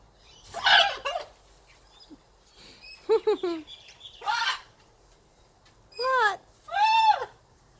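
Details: Pet blue-and-gold macaw playing and vocalizing: a rough burst, a stuttering series of squeaky notes, more harsh bursts, then two arched squawks, with a person's voice nearby.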